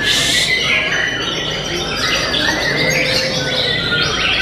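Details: Contest-singing white-rumped shama from Tasikmalaya, known for sharp 'sepurrrr' strokes; a loud harsh burst opens, then fast whistled phrases rise and fall over overlapping calls of other competing birds and a constant background din.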